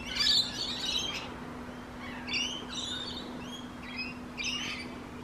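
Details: Rainbow lorikeet giving harsh, screechy bursts high in pitch, about five separate squawks spread over the span with short gaps between them, over a steady low electrical-like hum.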